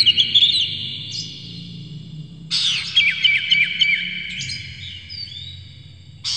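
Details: A tail-spreading, worked-up kacer (oriental magpie-robin) sings a harsh, varied lure for rival birds; clipped segments of quick chirps and descending whistles, loud sections switching suddenly with quieter passages over a low hum.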